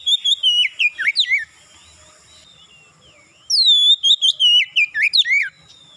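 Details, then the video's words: Oriental magpie-robin song as a singing lure: two loud bursts of varied whistles, sharp upsweeps and descending slurs, with a silent gap of about two seconds between them. "PANCINGAN KACER mudah cepat gacor"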